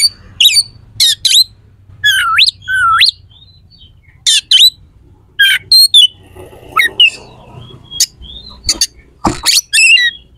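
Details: Oriental magpie-robin in full song, used to provoke rivals and toughen competition birds: scratchy bursts, upslurred whistles and sharp clicking notes in irregular phrases with short gaps.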